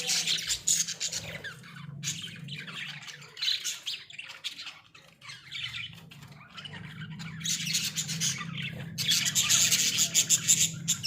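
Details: Several Australian budgies in a small cage chatter in rapid scratchy bursts, quieter mid-clip, then swelling into loud, dense warbling near the end; a faint low hum persists.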